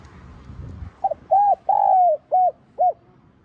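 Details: Spotted dove cooing in the 'giọng son' voice, a calling and urging coo. After a low rumble, quick short notes lead into an arched coo, a long slurred falling coo, then two short clipped coos.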